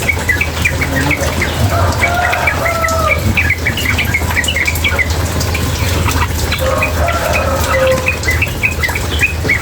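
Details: Female sooty-headed bulbul chattering beside water. Scattered sharp chips and a few lower whistles sit over a loud steady gush of flowing water.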